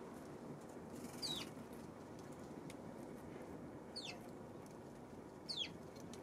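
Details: Eurasian tree sparrow on 24 October giving three thin, quickly falling chirps spaced a couple of seconds apart, fairly soft against a constant low rumble.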